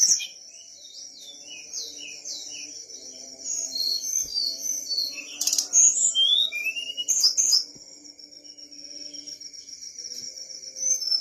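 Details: Whistler singing vigorously, giving quick whistled slurs and short rising and falling notes repeated in a busy sequence, with louder clustered phrases in the middle and a sustained high tone running throughout.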